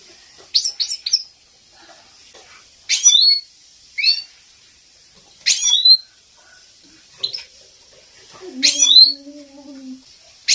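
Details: Captive European goldfinch, female calls played to excite and train male goldfinches: quick twittering chirps and buzzy bursts with rising slurs, spaced every one to two seconds, with a brief low drawn-out tone near the end.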